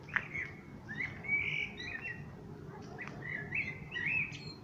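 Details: Common blackbird singing: low mellow whistled warbles, repeated in several phrases, with a thin, high, squeaky twitter at the end of some phrases, over a steady low background rumble.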